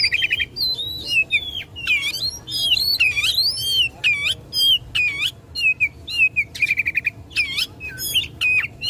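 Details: Caged Oriental magpie-robin delivering a combative song to provoke rivals: a long, fast, highly varied outpouring of looping whistles, sharp upslurs, stuttered note trains and rich warbles, barely pausing, over a faint low hum.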